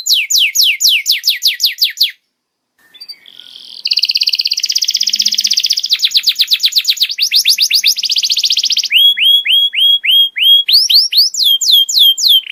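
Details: Canary tutor song played to help juvenile canaries learn to sing: loud, rapid trills of high, sharply falling notes, a brief pause, then a buzzy fast rattle and changing series of upswept whistles repeated several times a second.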